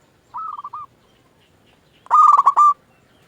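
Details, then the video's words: A quiet rolling purr then a loud rasping, stuttered coo from a local Indonesian zebra dove, a song meant to lure other doves into replying. "Perkutut lokal gacor RAJA PIKAT ahlinya bikin semua burung perkutut gacor pada nyaut"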